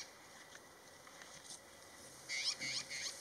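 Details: In Abha, Saudi Arabia, an Asir magpie gives three quick, harsh, rasping chatters in a row after a quiet stretch with a few faint clicks.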